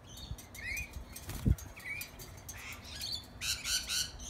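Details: Several lorikeets in a backyard being hand fed a bread crust give short, harsh rising squawks and chirps, with wing flaps and a soft thump partway through and a loud burst of screechy calls near the end.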